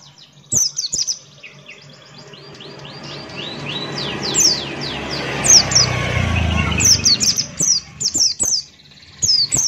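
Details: Buxton's white-eye singing 'gacor ngalas' with open beak: rapid high downslurred chirps and trills, partly masked midway by a loud rushing, rumbling noise, then clear chirp bursts return.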